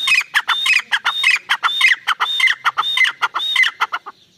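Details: Francolin, called irani teetar, giving a fast run of harsh, grating notes, each with a brief whistled upper tone, repeated steadily almost twice a second for four seconds.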